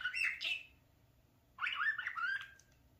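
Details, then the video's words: Indoor pet parakeet at play before a mirror, described as a talker; two bursts of squawky, wavering warbled chatter separated by a second of quiet. "the talking @parakeet"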